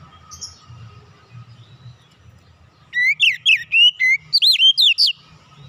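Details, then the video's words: Oriental magpie-robin singing calmly, a lure meant to draw song from other birds. Near-silence with a soft high note, then a burst of about eight loud, twisting whistled notes in quick succession. "kicauan nyantai pancingan ampuh Kacer bahan cepat gacor"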